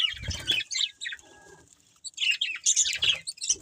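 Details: Budgies give quick squeaky chirps and buzzy warbles, then fall quiet for about a second before an excited run of high, scratchy chatter returns.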